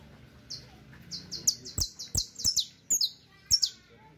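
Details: Creole canary (canario criollo) song used for teaching: quick bursts of high, bright, sweet notes, repeated several times a second in short rolling phrases, with a few sharp clicks or taps in between.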